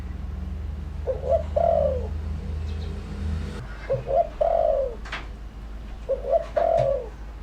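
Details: Spotted dove lure call used to attract wild doves: three groups of soft, low cooing notes, each a short double coo followed by a longer descending coo, spaced about two seconds apart, with a steady low hum underneath.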